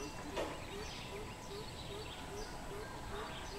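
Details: Greater coucal, 13 June 2020: low, booming hoots in an even run, roughly three per second, each note slightly upslurred, with faint chirping of other birds and constant background hiss.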